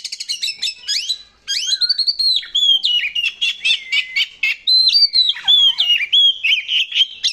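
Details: Singing Oriental magpie-robin (kacer), a territorial contest bird used as a lure song: varied loud whistles, slurred rising and falling phrases and sharp chirps, mixed with short rattling bursts, continuous and rich.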